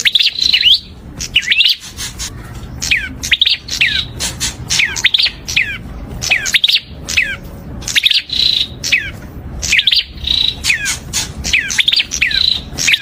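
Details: Prinia singing a long, busy run of sharp chirps and descending slurred whistles, grouped in rapid phrases that repeat every second or two over light background hiss.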